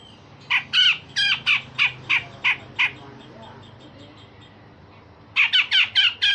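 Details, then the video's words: Singing grey-cheeked bulbul used as a model for young songbirds, with rough rasps and sharp shots: a rapid series of grating squawks, a pause of over two seconds, then another quick harsh volley. "Cucak jenggot Besetan Kasar dan Tembakan Tajam"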